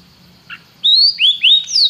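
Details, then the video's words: Canary singing a short phrase: a soft note, then three loud, clear whistles, each sweeping upward and then falling. "Seu canário cantou imediatamente depois de ouvir este canário"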